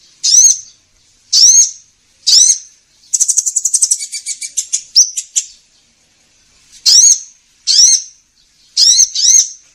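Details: Sunbird calls used by trappers as a lure: three spaced, piercing upswept chirps, a quick stuttering trill that slows and fades, then more sharp chirps in ones and twos.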